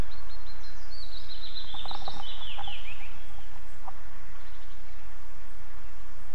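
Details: Osprey at a nest in Estonia, 11 July 2022, with a strange female and a male present, giving a rapid run of thin, high whistled chirps sliding downward over about three seconds, over steady rushing background noise.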